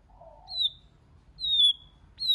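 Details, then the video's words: White-rumped shama giving three clear, high whistles that slide slightly downward, spaced about one second apart, after a soft low warble at the start; otherwise quiet. "Kích Chòe LửA HóT,chòe lửa hót nhiều giọng"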